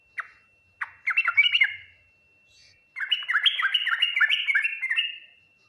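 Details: Yellow-vented bulbul singing a full ngriwik, nguplik, tuklik-tuklik song that draws fast replies from other bulbuls; two sharp opening notes, a gurgling burst, a pause, then a long rapid run of liquid, warbling whistled notes.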